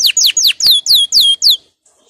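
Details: Aroused male canary preparing for mating gives a run of seven clear whistles, each sliding downward. They come about every quarter second, then stop.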